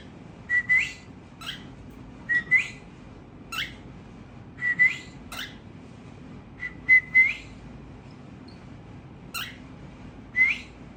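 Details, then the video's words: A tamed cockatiel, one of a family of birds singing, repeats short chirps ending in small rising whistles, mostly in pairs spaced one to two seconds apart, nine bursts in all. "Cockatiel Birds Tamed | Chirping Sounds Family Singing"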